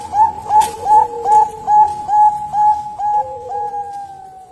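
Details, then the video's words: Female zebra dove cooing: a steady series of soft, mid-pitched whistled coos, about two or three per second, each slightly rising then level, ending in a long drawn final note, with room hum behind. "PERKUTUT BANGKOK BETINA SUARA ISTIMEWA"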